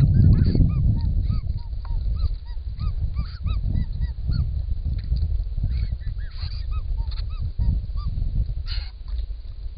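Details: Wild White-winged Choughs in Australia, recorded by camera trap while drinking at a pond: many overlapping short arched whistled notes from several birds, repeated rapidly throughout, over heavy low rumbling noise and flapping.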